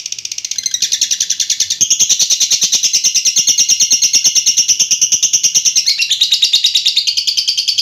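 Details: Lovebird giving a long "ngekek" trill: a continuous, high, rattling chatter of rapid pulses, about three per second, that strengthens after a soft start and runs unbroken for nearly eight seconds.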